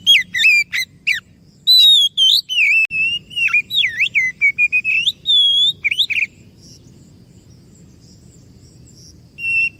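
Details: Singing Oriental magpie-robin as a lure for answering birds: a long rich run of rapid, swooping, looping whistles and a held high note, then near silence with one short whistle at the end.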